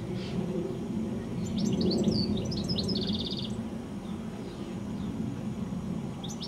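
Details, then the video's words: Goldfinch singing in the evening from a telephone wire high up just before sunset: a quick burst of high twittering notes ending in a buzzy, evenly pulsed trill, over a steady low background hum. "Goldfinch Singing a song"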